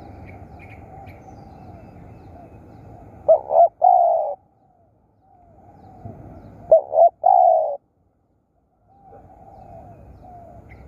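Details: Spotted dove calling while used as a decoy for luring wild doves. Two distinct phrases, each made of quick stuttering notes that lead into a drawn-out hollow coo, are separated by silence over a faint background hum.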